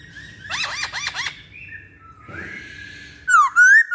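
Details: Masked laughingthrush lure recording: rapid harsh chattering notes and a soft noisy passage, then three loud, clear whistles that dip and rise at the end.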